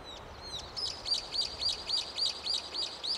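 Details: A Brown-eared Bulbul calling from an overhead wire gives a fast run of shrill, squeaky, high notes, about three or four each second, over faint background hiss.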